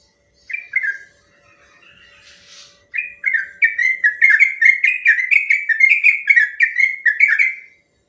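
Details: Long rolling song of a sooty-headed bulbul for training other birds: two opening whistles, a soft murmur, then a steady, rapid chain of liquid, slurred notes for nearly five seconds.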